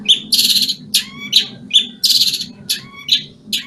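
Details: Singing in moult, a Banyuwangi long-tailed shrike gives loud harsh bursts between pure high whistled notes over a low background rumble.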